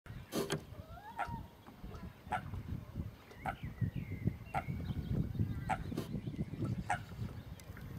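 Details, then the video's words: Eurasian coot giving sharp, clicking calls about once a second, with faint thin whistles between them over a steady low rumble of background noise. "Eurasian coot Makes funny noise"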